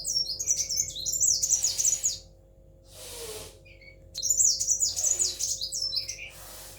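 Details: Pet sunbird, kolibri wulung, noted as tail-less. It sings two rapid bursts of high, tinkling, scratchy notes, separated by a pause with a soft shuffling sound and a constant faint low hum.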